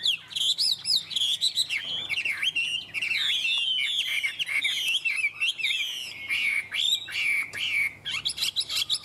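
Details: Chinese hwamei kept as a cage bird in Vietnam, pouring out a continuous, vigorous song of looping whistles, rapid trills and buzzy rising and falling notes, with brief gaps between bursts.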